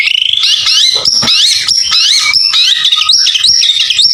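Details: Loud continuous song of a white-rumped shama used to lure other birds, a dense run of high whistled notes, trills and quick upward slurs without pause.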